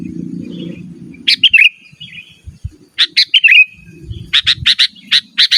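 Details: Sooty-headed bulbul in lively calling, meant to call rivals and tutor caged birds. Brief fluty warbles mix with crisp chip notes that speed into a rapid series near the end. Faint low hum early on.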